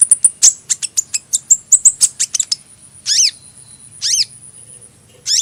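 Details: Rapid series of thin high sunbird chirps, then three louder, harsher downward-sweeping calls spaced about a second apart, with quiet between them.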